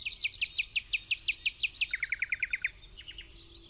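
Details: Common Nightingale in song in the Amsterdamse Waterleidingduinen on a misty King's Day morning: a rhythmic run of about a dozen loud, sharp chip notes, then a lower, quicker repeated series and a few brief closing notes.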